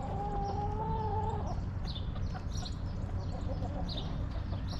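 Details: Hens in a backyard coop, a drawn-out level tonal cluck in the first second and a half, followed by soft murmurs, against steady low hum and scattered high bird chirps.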